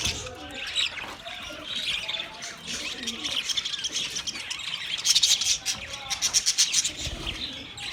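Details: A budgerigar flock keeps up steady high chattering, with rapid bursts of sharp clicking chirps near the end among softer, lower warbles. Meant as company for a lonely bird.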